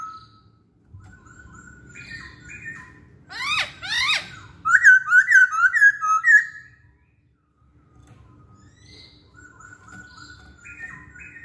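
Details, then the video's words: Masked laughingthrush song used to coax other songbirds into singing: quiet whistled notes, a burst of sharp rising calls, then a loud rapid series of wavering whistles before softer notes return. "Kicauan Poksay Hongkong"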